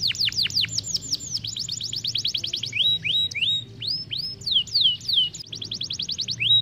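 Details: An Isabel Belgian canary, played to stimulate young canaries to sing with rolling song, sings a fast rolling song of bright, high sweeping notes, rapid trills and short rising whistles, with faint background hum.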